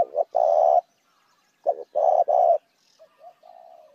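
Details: Spotted dove calling to attract other doves: two low, purring phrases, the second stretched into two long coos, then quiet soft coos trailing away.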